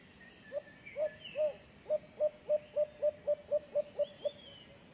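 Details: White-eared brown dove calling in San Pablo City, Laguna: a run of about thirteen short, low hooting notes, evenly spaced and slightly quickening, with thin high chirps of other birds and insects behind.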